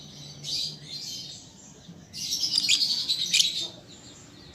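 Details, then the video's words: Juvenile lovebird practising its song: two bursts of high, scratchy twittering, the second louder and longer, with faint low hum underneath. "Pancingan Lovebird Paud Belajar Bunyi Ampuh Langsung Nyaut"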